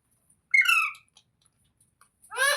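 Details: Pet parrot in a small room giving two harsh, buzzy squawks with stacked harmonics, one near the start and another near the end, separated by quiet ticks and small clicks.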